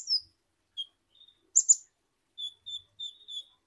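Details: Short high whistled notes, a pair of sharp emphatic chirps, then a steady string of thin piping notes from a kolibri ninja, an Indonesian sunbird.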